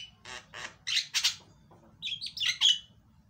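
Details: Javan myna singing loudly as a lure for a silent myna, with two rough low squawks, two louder harsh bursts, then a short run of shrill whistled and rasping notes.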